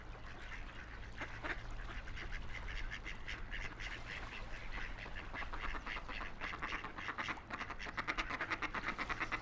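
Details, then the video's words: Wild ducks on a quiet river, quacking in loose clusters that quicken into a rapid run near the end, with constant low water murmur beneath. "Relaxing Ducks Quacking by the River"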